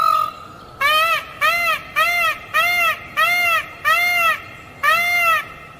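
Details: Green peafowl delivering a rhythmic series of eight short, loud, nasal honks, each arching up and down, evenly repeated about every half second after a brief lower note at the start.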